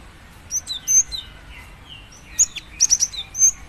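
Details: Calling female cinereous tit summoning a male: two or three high sharp chirps early, a quiet gap, then a rapid cluster of five piercing whistled notes.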